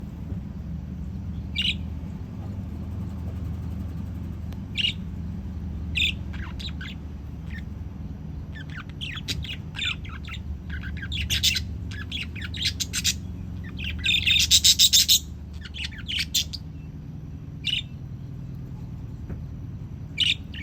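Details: Budgerigars in the early morning trade sharp, scratchy chirps and squawks, with a denser burst of chatter midway through.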